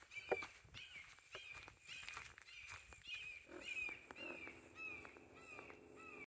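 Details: Dueling red-shouldered hawks, Cool Trail, Little Big Econ State Forest, Geneva, Florida: overlapping series of slurred kee-ah screams from more than one bird, with a low buzzing drone midway and clicking footsteps.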